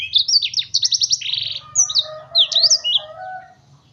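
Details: Agitated black-throated bird singing at once, a fast burst of high chirped notes and trills, then sharp descending whistled slurs; low hum underneath.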